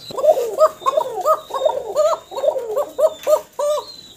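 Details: Caged domestic pigeon pair, male right and female left, a breeding pair with the female due to lay, calling restlessly. Rapid run of bouncing coos, about three per second, each a short rise and drop, with faint wing and background noise.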